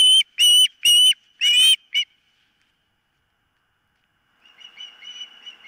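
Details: Osprey at a nest on a camera feed, 4 September 2023, around a near toe injury: four to five loud, harsh, high whistled cries, then silence, then faint distant whistling.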